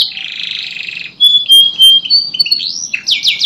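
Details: Canary singing, used to prompt silent canaries to sing again: a long buzzy trill, then clear whistled notes and sharp rising and falling slurs.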